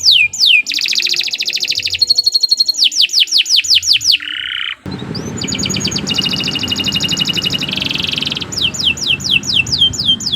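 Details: Nusantara canary giving a long, loud song: fast rolling trills alternating with series of clear descending whistled slurs, with phrases changing every second or two.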